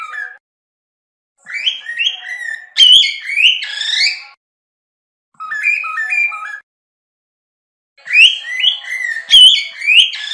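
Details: Whistled song of a cockatiel, also known locally as karawan: bright, warbling phrases of quick stepped notes with sharper high squeaky accents, repeated in bursts separated by short silences.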